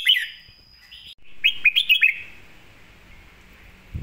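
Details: Red-whiskered bulbul singing a clear master-song phrase used to tutor other birds: bright whistled slurs, then a quick burst of five sharp, rising chirped notes in about half a second, fading into quiet background.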